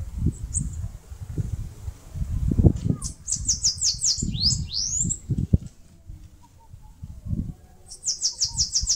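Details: Caga-sebo, or bananaquit, singing while nesting on a mandacaru in Brazil's Northeast: a hurried string of high, wiry notes with downward swoops, a silent stretch, then another quick high run; bumps and rumbling noise beneath.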